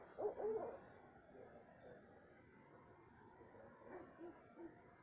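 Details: Suspected owl at 2:30 am in south-central Texas, species unknown, gives a low, soft double hoot, then a few fainter muffled hoots against a quiet night background.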